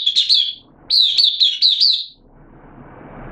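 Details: Oriental white-eye kept as a hobby cage bird, open singing session dated 8 September 2022: two quick phrases of sharp, high, twittering notes, the second longer with five or six rapid chirps, then soft background rustle.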